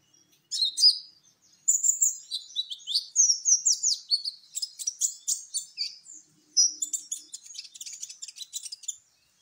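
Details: Sunbird called kolibri ninja, a champion bird whose song serves as a lure for other birds: a continuous, lively stream of very high twittering notes and quick downslurred whistles, pausing briefly near the middle.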